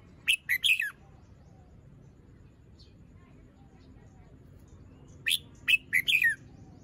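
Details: Red-whiskered bulbul, a young cage bird with incomplete molt and short crest, sings in the morning: a quick chattering phrase, a long quiet gap, then another burst of four rapid warbled notes.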